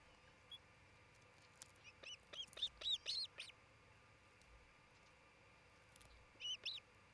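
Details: Osprey at a nest near the tree tops of Charlo, Montana, recorded by a nest camera on 27 June 2018; sharp whistled chirps, a rising-falling cluster of about eight, then a pair of calls after a pause, over steady faint background hiss.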